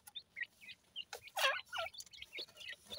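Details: Teetar (francolin) chicks calling: short, bright chirps and rising-falling peeps, scattered and overlapping, with a louder burst near the middle.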